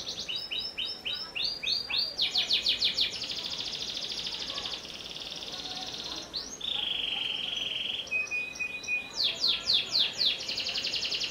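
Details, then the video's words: Panda canary, shown without bars, singing a long varied song: rapid repeated chirped notes alternate with rolling trills and a few steady whistled tones, all high-pitched and continuous. "Kenari Panda Tanpa Ruji"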